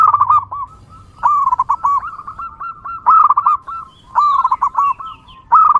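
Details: Local wild zebra dove singing vigorously, recorded for luring other zebra doves: bursts of rapid, bubbly cooing notes near one pitch, each phrase trilled then drawn out, repeating about every second with short pauses.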